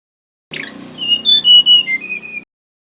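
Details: Male mangrove whistler song used as a lure: ringing whistled notes held steady and stepping down in pitch over two seconds, over a constant low droning hum throughout.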